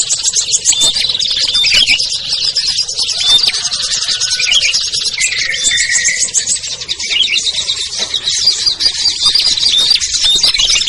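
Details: Small-bird lure sound, with ciblek, kutilang, trucuk, sogon and perenjak named, used to call down birds that will not descend; busy high twittering from many birds with scattered clear whistles and a few lower rasping notes.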